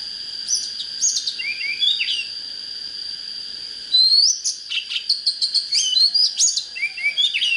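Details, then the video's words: Oriental magpie-robin singing, used to fire up birds and lure wild birds to fight: short whistled phrases and sweet rising notes in bursts, growing denser and louder after the fourth second, over a steady high-pitched whine. "Chích chòe than HÓT HAY"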